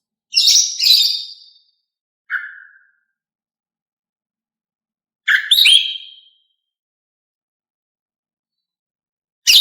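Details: Female greater green leafbird, sung to stir male birds into singing. Bright chirping phrases come in short clusters several seconds apart, with a brief lower note between them, high and sharp, over silence.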